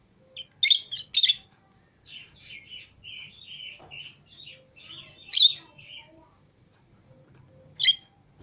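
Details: Pet lovebirds, green Fischer's and lutino pairs, out of the cage with other lovebirds: a few loud harsh chirps separated by softer, lower chattering twitters, sparse and irregular.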